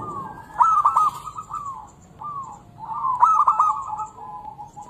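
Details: Local zebra dove singing, a lure for doves reluctant to sing: two bursts of rapid rattling coos with clicky edges, softer purring notes between them, low background hum throughout.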